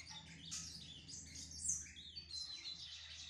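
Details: A brown Lined Seedeater warms up with a steady stream of high, thin chirps and sweeping whistled notes, continuous and busy throughout, over a low background hum.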